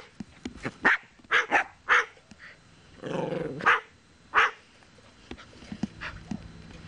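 A sulphur-crested cockatoo gives about five short, hoarse, dog-like barks in an irregular series, with a brief raspy growl in between.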